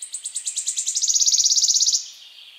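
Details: Warbler in mating song, used to prepare for mating: a rapid, very high trill of repeated notes that speeds up and grows louder, sliding slightly lower over two seconds before fading.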